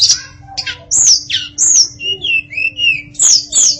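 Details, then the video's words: Female hill blue flycatcher (tledekan) singing a varied, richly filled song: high whistled notes sliding down, short bright chips and lower warbled phrases in quick succession, with a steady faint hum underneath. "Kicau Memukau Tledekan Betina Yang Bersuara Variatif"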